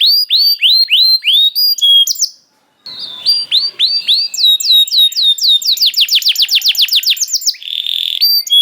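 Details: Canary singing as bait to encourage other canaries to sing: repeated downswept whistles, a short gap, then varied notes building into a rapid trill and a buzzy ending.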